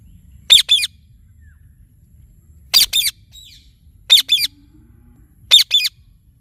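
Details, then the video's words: Indian ringneck parakeet, a talking parrot, giving harsh paired squawks, two quick shrill notes together, repeated in four bursts over about six seconds against a quiet background. "Talking Parrot Chirping Sounds"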